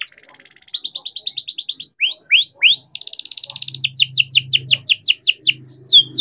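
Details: Young captive-bred canary singing its rolling 'ngeroll' song, used to coax young or silent canaries into song: a steady high buzzy note, rapid pulsed trills, then a series of rising upswept whistles and fast descending sweeps. Faint low hum underneath.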